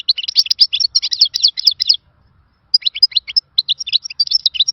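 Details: Khalawi-style European goldfinch song, billed as a lost song of bygone times: rapid, tinkling twitters and chirps in two bursts separated by a silence of almost a second.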